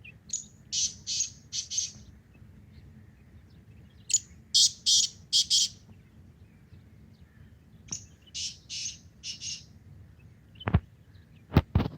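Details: In a morning forest, a black francolin repeats its harsh, scratchy phrase three times, each a string of four or five grating notes, with a few sharp knocks near the end.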